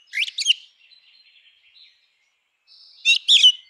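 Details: Two brief bursts of bright, chattering warbled notes from a grey-winged blackbird, separated by a quiet stretch with faint soft sounds.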